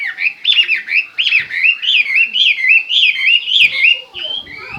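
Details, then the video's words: Loud, steady hwamei song of rolling, bouncing whistles, each slurred note curling up and down in a rapid chain, with a brief soft rustle near the end. "hmoob chim hoa mi hot"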